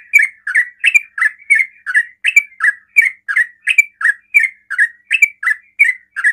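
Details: Sooty-headed bulbul delivering fast 'ropel' song aimed at drawing answers from other bulbuls; a steady, strong train of short bubbly whistled notes, nearly three per second, with no pauses.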